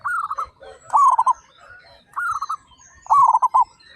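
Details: Local zebra doves from a set of 35 loud, active singers: four rolling coo phrases, a softer higher voice answered each time by a louder, lower stuttered run of five beats.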